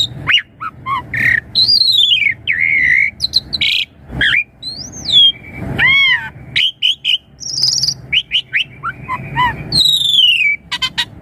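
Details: Rich Asian pied starling song meant to make young birds reply fast, with arched whistles, harsh harmonic squawks, clicks and fast chattering phrases delivered almost nonstop.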